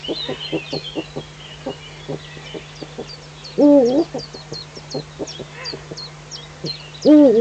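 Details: Early morning in the Eifel, 19 June 2015 at 05:50, a Eurasian eagle-owl gives two strong wavering calls about three and a half seconds apart, over quick low ticking pulses and distant small-bird twitters.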